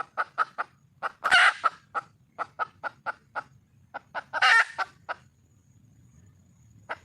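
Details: A wild red junglefowl hen calling out to find a male delivers a long sequence of evenly spaced clucks punctuated by two harsh, noisy squawks.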